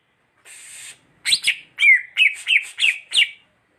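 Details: Greater green leafbird singing: a harsh buzzy burst, then a short pause and six loud, sharp whistled notes in quick, slightly uneven succession, each sliding down in pitch.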